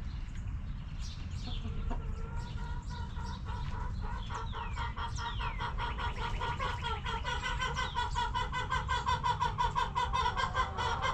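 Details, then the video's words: Backyard hens clucking at their coop, soft scattered clucks building into a dense run of rapid, stacked clucking notes, with high descending whistles from other birds and constant low rumble underneath. "Rooster Crowing! Hens Clucking!"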